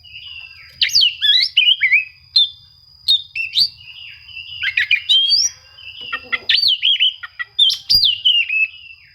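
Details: Oriental magpie-robin song used as a rival-seeking lure to provoke quiet birds into singing: rich whistled and warbled phrases, sliding notes between mid and high pitch, with a steady high tone and a faint low hum beneath.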